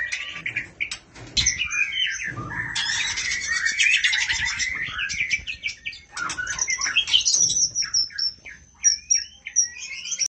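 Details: Female murai calling the male: a dense, varied run of whistled slurs, rapid buzzy trills and sharp high chirps, loud and almost continuous, with brief pauses near two and six seconds.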